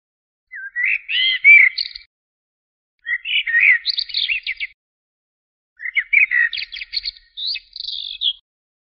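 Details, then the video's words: Three separate phrases from a singing common blackbird, each starting with rich mellow whistles and breaking into a thin, high, scratchy chatter at the end, with silent gaps of about a second between them. "تغريد طائر الشحرور جحمومية الزرياب Turdus merula"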